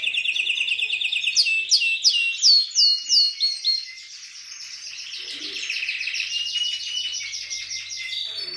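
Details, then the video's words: Syrian canary singing a series of loud, pulsing upslurred whistles about twice a second, followed by softer, rapid rolling trills of repeated notes. "تغريد كناري سوري"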